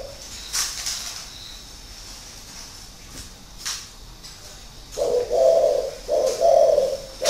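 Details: Caged spotted dove, a six-year decoy bird; a few faint sounds early, then three loud, mellow low coos close together at the end.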